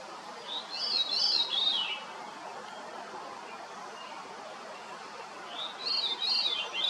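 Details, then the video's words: Veery singing: two flute-like phrases, each a rolling series of overlapping notes spiralling downward in pitch, about four seconds apart, over a soft steady background hiss. "Grive fauve, chant / Veery, song"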